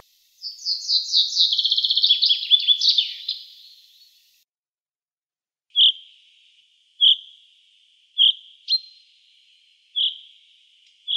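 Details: A common chaffinch, a Siberian songbird, gives one bright, descending trilled song phrase, then switches to a short, clear 'yu' note repeated about once a second; ornithologists believe this 'yu yu' call is an alarm call.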